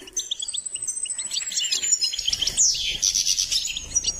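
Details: Goldfinch singing: a continuous, rapid twittering song of high chirps and trills, building into a dense buzzy burst in the middle before settling back into quick repeated tweets.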